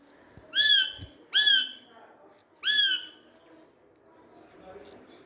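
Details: Indian pet rose-ringed parakeet at play with a mirror, giving three loud arched squawks in quick succession, followed by quiet background noise.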